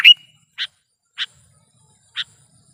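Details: Sooty-headed bulbul recorded for use as a trapping lure. One short bright slurred note is followed by three evenly spaced sharp chips.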